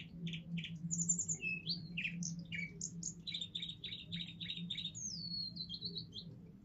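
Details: Young male Russian singing canary, seven months old, from a pure singing line, performing the forest tune. It gives varied high whistled notes, a run of rapidly repeated chirps and a long descending slurred whistle over a steady low hum.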